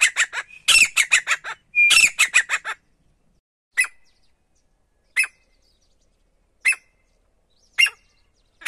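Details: Single male wild grey partridge, used as a hunting call: an opening burst of rapid, harsh, rattling squawks that breaks into isolated sharp notes spaced over a second apart, with silence between them.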